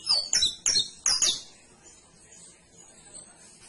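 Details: Canary song: a quick burst of four high, bright chirping notes in about one second, then only faint high twittering for the rest.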